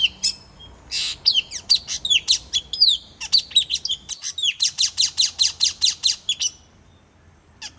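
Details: Lure calls of a puling bird: a continuous run of sharp, squeaky high chirps and short downslurred notes, with a rapid, evenly spaced buzzy series in the middle before a sudden stop.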